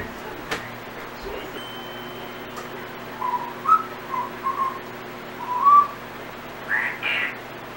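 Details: Pet Timneh African grey parrot indoors making random sounds and fragments of learned whistles: short tonal whistles near mid pitch, some slurred upward, scattered over several seconds, plus a couple of harsher notes at the end and a sharp click early on.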